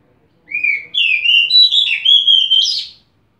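An Oriental magpie-robin sings one rich, varied phrase of clear whistles. The notes slur and warble for about two and a half seconds, with no other sounds.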